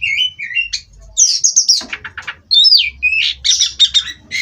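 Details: Captive Oriental magpie-robin singing for perch-steadying therapy: clear whistled notes open, followed by scratchy bursts, quick stuttering clicks, and a final string of rapid bright warbled phrases.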